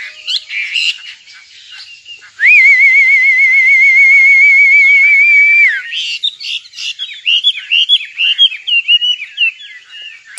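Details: Singing nightingale: brief varied chirps, then a long steady whistled note held about three seconds with a fine tremble, followed by a quick run of varied, jumping warbled notes.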